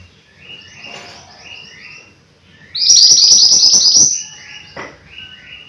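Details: Repeated soft slurred whistled phrases from a mountain white-eye, then an intense burst of very high, rapid twittering, followed by more quiet whistled phrases.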